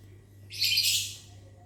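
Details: Lovebird in a mini aviary in the morning, answering after being whistled at: one harsh, broadband screech lasting about half a second, rising and fading, with a steady low hum underneath.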